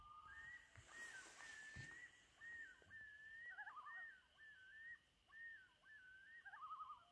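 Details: Loons on Trout Lake at sunset, May 2019, giving drawn-out whistled wails and short wavering tremolo phrases, calls overlapping from several birds, a brief rustling noise early on.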